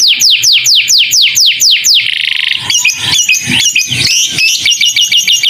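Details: Canary master song laced with lovebird-style phrases, for young birds to learn: about ten steep descending whistled notes repeated evenly, then a buzzy trill and varied chattering, squeaky twittering phrases.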